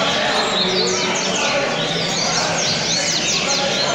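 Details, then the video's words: Double-collared seedeaters at a singing tournament in Rio das Pedras sing rapid, high, sweeping twitters over a steady murmur of crowd noise and voices. "Torneio Coleiro"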